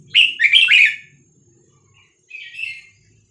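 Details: Red-whiskered bulbul singing a Vietnamese 3-4-5-6-7 song to tutor young birds and excite them: a loud, quick, bubbling phrase of three linked notes, a pause, then a softer single warbled note, over faint low hum.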